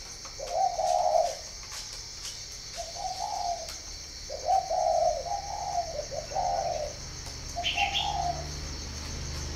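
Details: Spotted dove from northern Vietnam giving a run of mellow, slightly wavering coos, five phrases spaced about a second apart, with a brief higher chirp from another bird near the end over constant background hiss.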